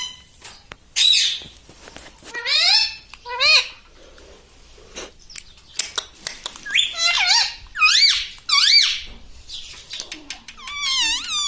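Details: Green ring-necked pet parrot in a room, repeating learned words like mitthu, mummy and papa; a series of short, sharp, high squeaky utterances with quick falling and rising glides, spaced by brief quiet gaps and soft clicks.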